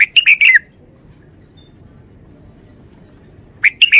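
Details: Caged red-whiskered bulbul giving its short song: a sharp triplet of bright, slurred chirps at the start and a matching burst three seconds later, with near silence between.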